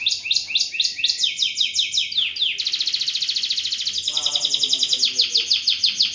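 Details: Canary in strong singing form, in the luxurious "cengkok mewah" song style: fast, high rolling trills of evenly repeated notes, shifting between several roll speeds and pitches without a break.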